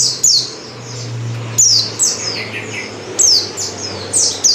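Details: Oriental white-eye female calling, a lure meant to set males singing; loud bursts of high, thin notes sweeping sharply downward, grouped in quick runs of two or three about every second and a half, over a steady low electrical hum.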